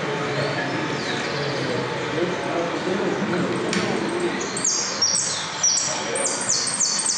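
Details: At a third-round jilguero (finch) singing competition at a federation, a finch breaks in halfway with a run of thin, high notes, each sliding downward, repeated about twice a second over a steady murmur of crowd noise.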